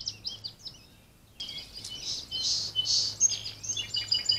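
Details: Wild birds singing at the edge of a small patch of backyard woods in Virginia on 24 April 2020, captured by a trail camera. Thin, high whistled phrases and fluttering trills follow a brief lull, over a steady low electrical hum.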